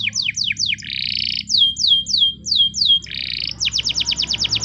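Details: Spanish Timbrado canary in a morning training song, alternating quick descending whistles with buzzy rattling rolls, ending in a fast run of swept notes.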